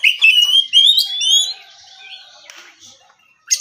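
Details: Kacer, or oriental magpie-robin, in morning ngeplong song: clear, rising, sweet whistles for about a second and a half, then softer trailing notes fading away before a short sharp sound at the end.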